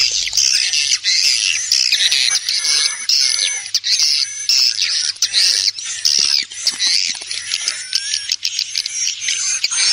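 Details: Swiftlet lure call with wing flutters: swiftlets chatter nonstop in dense, overlapping high chirps and buzzy twitters, a steady flock chorus with no pauses.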